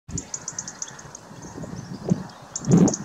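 Black redstart giving a rapid series of thin, high ticking notes, about five or six per second, over low rumbling wind and a few dull thumps.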